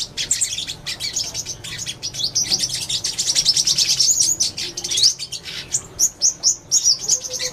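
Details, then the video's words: Purple-throated sunbird, the five-coloured sunbird, delivering a dense, high-pitched twittering of rapid chirps and thin sweeping notes, getting louder and more spaced into separate bright chips toward the end. "Tiếng Chim Hút Mật 5 Màu"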